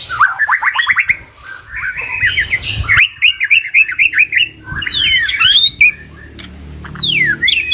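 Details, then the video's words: Two white-rumped shamas singing with many fill-in phrases: a fast rising stutter of notes, scratchy chatter, then loud downward-sweeping whistles and sharp high chips. "Duo GACOR !! Burung MURAI BATU Full isian"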